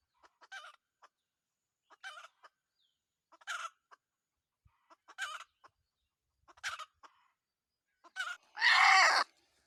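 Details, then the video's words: Red junglefowl, a wild rooster taken in decoy trapping, making clusters of brief clucks roughly every one and a half seconds, ending in a much louder, longer harsh rasping call. "cuab tau lau qaib qus lawm nawb(ต่อไก่ป่าหม่านๆ)"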